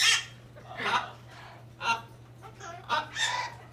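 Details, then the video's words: A captive hyacinth macaw at a parrot park in St-Placide, in Quebec's Laurentides, makes strange, never-before-heard noises: several raspy, breathy bursts, some croaking and some throaty, spaced irregularly, with a low steady hum beneath. "Hyacinth Macaw making weird noises / Ara Hyacinthe qui fait des bruits bizarres"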